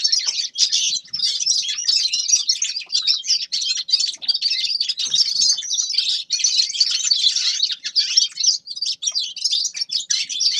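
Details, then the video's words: A grey-crowned goldfinch gives a long, busy song of rapid tinkling twitters and buzzy notes, with a few very short breaks between phrases. "Седоголовый щегол Carduelis caniceps певчая птица"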